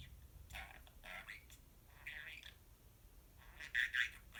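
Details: A talking pet budgerigar in a small room, uttering soft garbled speech-like phrases and warbled chatter, ending with two louder sharp chirps near the finish; low background hum.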